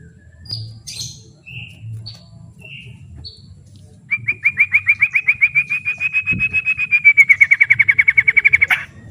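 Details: White-rumped shama song used as training material: a few soft separate whistles and chirps, then a long, fast, steady trill of repeated notes that grows louder for five seconds.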